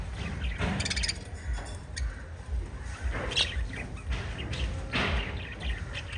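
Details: Chirping from a group of five lovebirds: scattered sharp, bright chirps and brief bursts of chatter with pauses between, set against a steady low background drone.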